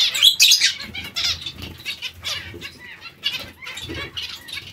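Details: Busy zebra finch colony with loud, clustered nasal calls at the start, then a steady mix of overlapping chirps from many birds and light wing flutter.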